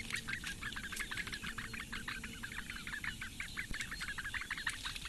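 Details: Nest of four great bittern chicks in the reeds of Lake Engure, Latvia, recorded by a nest camera around 8:45 in the morning during feeding by the female; continuous rapid high chirping, slightly uneven in rhythm.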